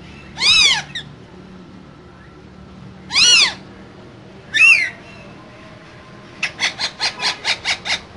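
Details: Caged pair of green parrots calling: three separate loud, raspy squawks a few seconds apart, one with a whistled edge, then a rapid burst of eight short clipped chattering notes.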